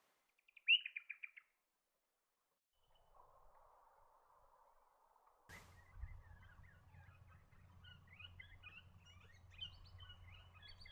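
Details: A Swift parrot opens with a quick burst of high, metallic chips; after a rush of noise and a low hum, softer twittering from other birds follows.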